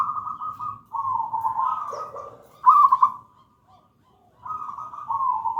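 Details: Zebra dove of local wild stock, gedang rojo type, in full song for luring and tutoring birds: rolling, trilled coo phrases, one louder stuttered burst, then a quiet gap before the cooing resumes, low background hum.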